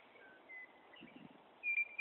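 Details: Meadowlark singing loudly from a tree in Wyoming: thin, clear whistled notes, faint at first, then a louder sustained whistle near the end, with soft background noise throughout.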